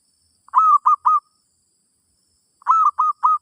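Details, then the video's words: Zebra dove singing during a session to teach a new bird: two quick phrases, each of three mellow staccato coos with a drawn-out first note, separated by a silent gap of about one and a half seconds. "Suara Burung Merbok"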